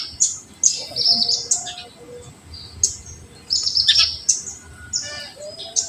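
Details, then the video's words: Bright, thin, high-pitched chips and short sweeping twitters from an olive-backed sunbird in full 'tembakan' song, used to stimulate untrained sunbirds; bursts come in irregular clusters with a soft low whistle now and then. "FULL TEMBAKAN UNTUK RANGSANGAN KONIN BAHAN"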